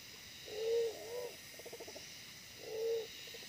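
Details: During decoy trapping, a small but fierce wild pigeon gives a low coo that dips and rises at its end, then a train of quick soft pulses, then another plain coo.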